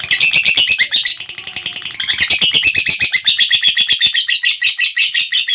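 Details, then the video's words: Continuous ngekek song of a lovebird, a piercing, buzzy trill of quick repeated pulses, varying slightly in pitch and loudness but never pausing across nearly six seconds. "Burung Lovebird Ngekek Durasi Panjang"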